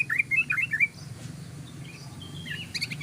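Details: Yellow-vented bulbul's rapid ropel singing, meant to draw other birds in: a brief, fast tumble of bright warbling notes in the first second, then faint chirps over a low hum.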